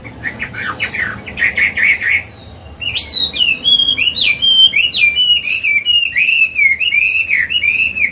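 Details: Mature Chinese hwamei, a cage songbird, singing in a forest-style voice used for training birds: a short burst of scratchy, jumbled notes, then a clear run of bright, bouncing whistled phrases repeated quickly.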